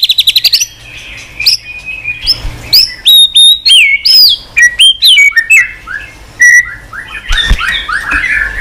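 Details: Caged white-rumped shama singing in many varied voices, tail-flicking on the cage floor when stimulated. Rapid clipped notes open, then loud whistled phrases with sharp upward sweeps and falling slurs, repeated in quick bursts with short pauses.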